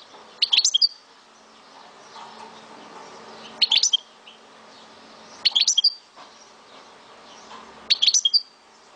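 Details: Four brief bursts of fast, bright, high-pitched chirps from a kept Algerian goldfinch of Souk Ahras, spaced about two to three seconds apart over a faint hum.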